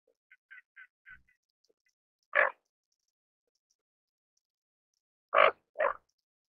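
Greater Scaup giving harsh, raspy single calls, one alone and then a close pair a few seconds later, after a quick run of four soft clicking notes.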